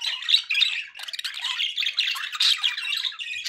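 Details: Budgerigars kept as pets pour out a continuous, busy warble of gritty squawks and quick chirps, with sharp high squeaks scattered through the rapid stream of notes.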